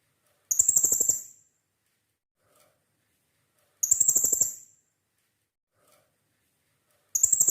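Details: Hanging parrot in lively song, used to prompt other hanging parrots to sing: very high, thin, shrill trilled bursts about a second long, repeated roughly every three seconds, with soft low rustling under each burst.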